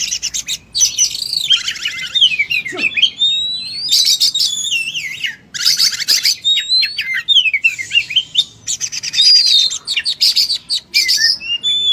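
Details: Oriental magpie-robin in full fighting mode, pouring out its learned material: rapid varied whistles alternating with dense buzzy rattles and trills, sliding notes between bursts, phrases changing every second or two with brief pauses.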